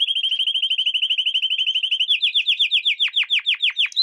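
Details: Canary song used as a lesson for young canaries: a rapid, even trill of short whistled notes, about eight per second, then slower, louder downward-sweeping notes and a final high note.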